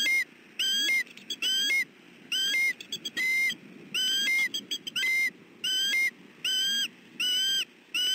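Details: Defending his family from an intruder near the nest, a male bald eagle in southwest Florida on 28 December 2013 gives a rapid chatter, with ringing whistled notes mixed with short clipped pips, about ten calls in eight seconds.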